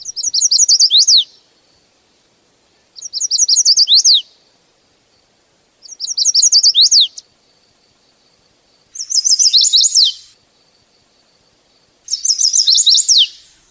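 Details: A male Chestnut-sided Warbler sings five times, each a quick run of high, sweet notes ending in an emphatic down-slurred flourish, about every three seconds; a song to attract the female or defend territory against other males.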